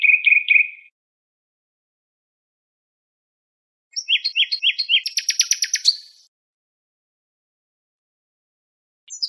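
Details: Nightingale on a song tape: a short burst of repeated notes, a pause, then a phrase of rapid doubled notes that runs into a high, dry rattling trill.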